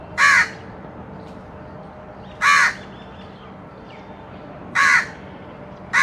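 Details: Crow calling: loud rasping single caws repeated roughly every two and a half seconds, four in all, against constant low hiss.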